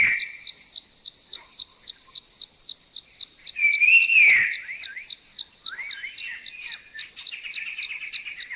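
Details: In Thailand, a puff-throated babbler sings one loud three-tone whistle that swells up and slides down, followed by softer churring and chuckling notes from the same species, with a rapid, even insect ticking throughout.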